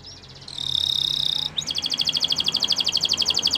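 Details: Canary song used for training canaries: a high thin note held about a second, then a rapid, even trill of short high pulses repeated about four times per second, with faint low background hum.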